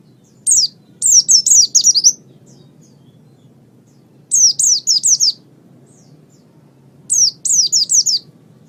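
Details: Oriental white-eye song for training songbirds: three phrases, each a fast string of five to six high, squeaky descending notes, spaced about three seconds apart, with a faint hum in the background.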